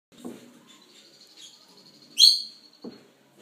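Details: Two-week-old lutino rosy-faced lovebird chicks being hand-fed. A thin, pulsing, buzzy begging note holds steady, then a sudden loud squeak, with soft low feeding noises near the start and end.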